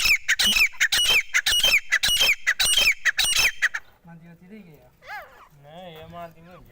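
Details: Desi teetar partridge gives a rapid, regular series of loud grating calls, nearly two per second, for about four seconds. Quieter tonal, wavering, voice-like sounds with rising and falling pitch follow.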